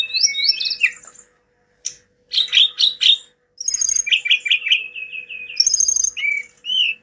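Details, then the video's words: Lively Hill blue flycatcher song mixing clear looping whistles, clipped high chips and a rapid rattling trill, with short pauses between phrases. "Si gacor moncor,TLEDEKAN GUNUNG istimewa"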